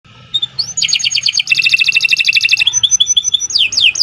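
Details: Canary singing continuously in a long, lively song used as a tutor recording for songbirds: rapid, evenly pulsed high trills that step between pitches, ending with sharp downward-sweeping whistled notes.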